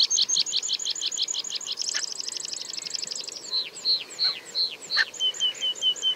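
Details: A meadow pipit (Anthus pratensis) gives its display song during a parachuting display flight over wide open moss habitat at Fenns Moss NNR, on a windy day: quick repeated tsip notes speed into a trill, then slow to drawn-out descending notes.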